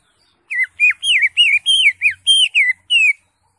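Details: Greater green leafbird (cucak hijau) singing in ngentrok crested posture, gacor full isian style: a quick run of nine loud whistled notes, each slurred up then down, rising and falling in turn, delivered about three per second.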